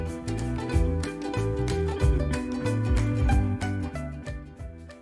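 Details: Upbeat instrumental music with a strong bass line and quick plucked notes; no animal calls.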